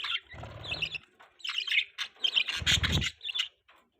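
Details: Budgerigars chattering with bright, twittering chirps in rapid bursts, broken by two dull low knocks.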